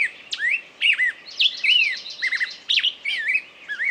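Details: Varied bird song: sharp downslurred whistles, rising sweeps and short trilled notes in quick irregular sequence, clear against a quiet background.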